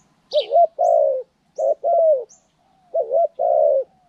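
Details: A spotted dove used as a trained decoy bird, recorded January 14, 2020, gives three low, mellow coo phrases, each a short note then a longer drawn-out coo, about every 1.3 seconds; faint high chirps from another bird between.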